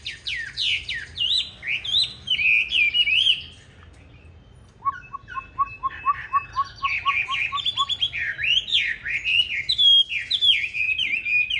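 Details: Chinese hwamei with green-bean eyes singing its fighting song, used for training other hwamei to a gentle song. Swooping whistled phrases pause, then a steady run of about a dozen short lower notes, then fast rising-falling whistles resume.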